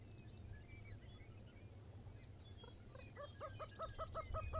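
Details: Lesser prairie-chicken at Buffalo, Oklahoma, in early morning in 2009 gives a quick run of hollow, clucking notes, about four to five a second and rising in strength, with faint chirps from other birds and low wind rumble throughout.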